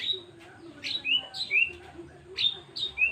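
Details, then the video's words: White-rumped shama (murai batu) in the 'tembakan' song style, described as luxurious: clear whistled notes, several sliding sharply down in quick bursts, separated by short pauses, over a faint low background murmur. "murai batu tembakan mewah"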